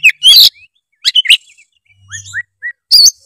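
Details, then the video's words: Oriental magpie-robin chattering in fill-in-rich song to get a lazy bird singing: a loud harsh burst, then quick whistles, a few soft downslurred notes over a faint low hum, and a final bright phrase. "kacer gacor full isian memancing kacer malas bunyi menjadi gacor"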